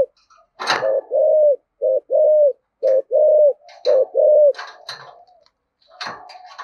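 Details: Spotted dove singing giọng thổ thúc gù: a run of rounded, resonant coos in quick pairs, each with a slight downward curve, interrupted by sharp knocking and rustling noises.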